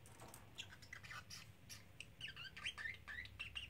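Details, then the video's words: Pet parrotlet, a three-month-old male, talking and repeating phrases like "Silly Birdie Bird"; raspy, high syllables come first, then clearer whistled, wavering notes in a quick series toward the end. "Talking Parrotlet"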